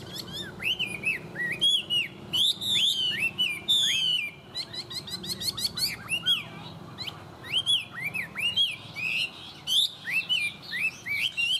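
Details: Tame caged Chinese hwamei singing well: a long, rich run of loud whistled phrases around the upper-middle register, rising-and-falling slurred notes mixed with rapid chattering bursts, delivered almost without pause; faint low hum underneath.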